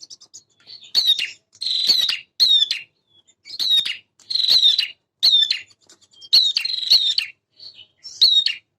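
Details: Male prinia in full, vigorous song: sharp high notes followed by bursts of buzzy, ringing trills, given in short phrases with brief pauses, about nine phrases over nine seconds. No other sounds.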